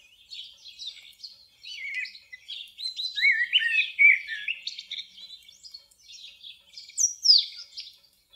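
A Common blackbird sings a rambling run of warbled, fluty notes, swooping up and down and tumbling into high, squeaky twitters, with no real pauses.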